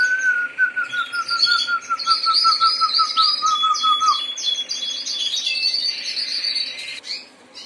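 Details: Harz Roller canary song: a low bubbling roll for about four seconds, then dense high chirps and trills from several canaries take over.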